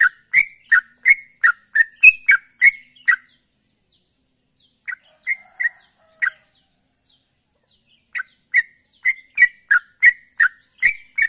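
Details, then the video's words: A chatty sooty-headed bulbul in ropel style: quick bursts of sharp, slurred chirps, several per second, broken by a quiet stretch with a few scattered notes before the fast run resumes. Background silent. "Trucukan Gacor Ropel"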